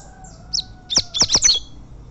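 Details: A champion tournament Double-collared seedeater gives a quick burst of four or five sharp, high chirping notes after a thin opening note, over a faint steady hum.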